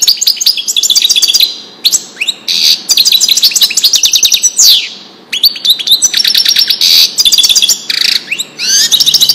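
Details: European goldfinch in Widani song, recorded for teaching young goldfinches and hybrids; lively high-pitched twittering phrases with quick trills and a descending whistled sweep, separated by brief gaps.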